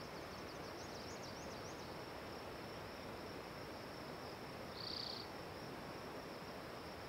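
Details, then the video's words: Spotted towhee song: a single brief buzzy trill near five seconds, after faint high chirping notes in the first two seconds, all over steady hiss. "Spotted Towhee Singing A Song"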